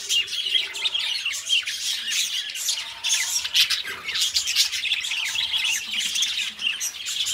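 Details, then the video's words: Companion budgerigars indoors giving a long, unbroken stream of high scratchy chatter and squawks, fairly even in volume, with faint low hum beneath. "Parrots singing beautiful birds voice beautiful budgies birds sounds"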